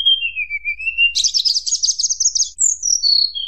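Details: High whistled tledekan gunung song in the nyuling style that provokes rivals: a low sliding whistle, then a long rapid trill held high, ending in falling clear notes.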